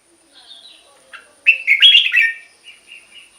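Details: Song of a red-whiskered bulbul, for luring or to rouse caged birds. A soft thin whistle and a brief chirp precede one rich, rapid, bubbling phrase. Gentle trailing whistled notes follow it.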